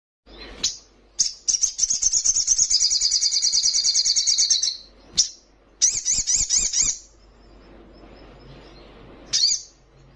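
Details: Young Little Spiderhunter singing vigorously: a long, rapid, high buzzy trill lasting about three and a half seconds, then sharp high chips, a shorter wavering trill and one last thin note.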